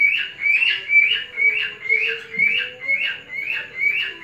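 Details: Male cockatiel whistling to court a female cockatiel, indoors in a breeding collection of parrots and exotic birds: a repeated, rising whistled phrase about every half second, nine times in a row, steady and tuneful.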